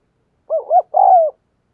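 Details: Spotted dove cooing as a lure to provoke other doves, a single clean phrase: a doubled short rising coo followed by one sustained, gently falling coo, with silence around it.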